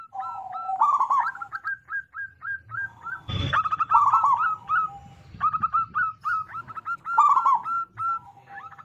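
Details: Zebra dove, a local bird with a big voice, singing as a lure to prompt other zebra doves: trilled bursts and lines of short staccato coos repeat across the phrase, broken once by a sharp knock-like noise.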